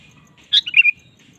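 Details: Single quick phrase from a vigorously singing sooty-headed bulbul, used as a lure for kept birds: a bright sharp note followed by a tumbling run of liquid whistles, faint whistling in the background.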